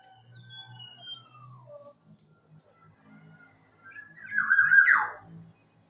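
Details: Local Javanese black-naped oriole used as a lure for birds that have stopped singing: faint, fluty gliding whistles, then a loud, harsh nasal squawk near the end.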